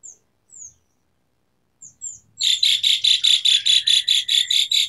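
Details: Asian pied starling: a few faint high downslurred whistles, then a loud, regular run of harsh buzzy bursts about three per second.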